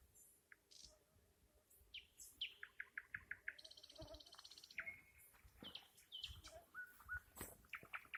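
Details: Song of a nightingale: a string of rapid repeated chirps, a buzzy metallic trill, then long whistled notes and sharp clicks in varied, quickly changing phrases over faint background hiss.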